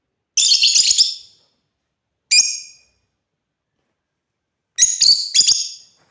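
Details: African lovebirds at play open with a fast chattering burst of harsh notes, then a single sharp squawk, and after a pause a stuttering double volley of grating chirps.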